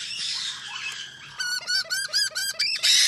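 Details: A string of short, clipped, ringing notes from a white-bellied parrot, about seven in under two seconds, after a stretch of soft, hissy background noise.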